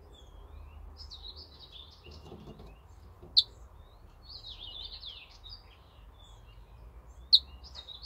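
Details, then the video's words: Ortolan bunting singing on 28 May 2024: short phrases of high, slurred, buzzy notes, each phrase about a second long with gaps between. Two sharp clicks stand out over a low background hum. "Свежая садовая овсянка. Песня."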